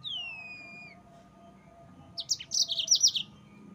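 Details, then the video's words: Yellow-fronted canary song for provoking rivals: a long, smoothly descending whistle, a pause, then a second-long burst of rapid high chirps. "Mozambik Gacor NGEROL Terbaik untuk Pancingan bikin Lawan Naik Emosi"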